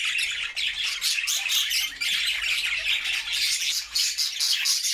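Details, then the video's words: Happy budgerigar flock singing in its new homemade cage: loud, dense warbling chatter with rapid repeated chirps and squawks throughout, a faint low hum behind. "Budgie sounds to make them sing!!"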